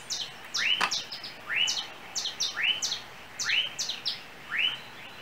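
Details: Small yellow bird in Trinidad, perched on overhead cables around a home, giving a chirping song. A rising whistled upslur repeats about once a second, each followed by short high chirps, over a steady background hiss.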